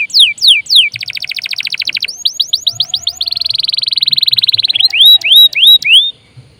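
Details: Canary in full song, played to prompt other birds to sing: loud slurred notes, a rapid rattling trill, more rising slurs, a very fast buzzy trill, then evenly spaced upward whistles.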